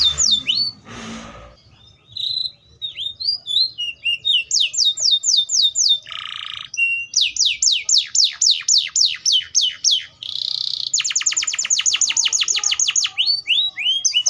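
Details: Atlantic canary singing a varied, high song: rapid series of downslurred whistled sweeps, buzzy nasal bursts around the middle, then a long fast trill of repeated notes and a few looping chirps to finish.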